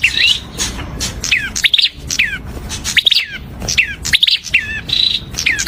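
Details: Prinia song: lively stream of downward-slurred chirps and short rattles, with an occasional flat buzzy note. Continuous and energetic over faint low background noise.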